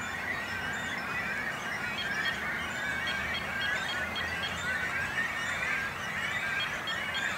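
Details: Great cormorant nesting colony with chicks on a small island in a lake near Noord and Zuid Scharwoude, Langedijk, Netherlands; unbroken chorus of rasping calls and high begging-like squeals from many birds.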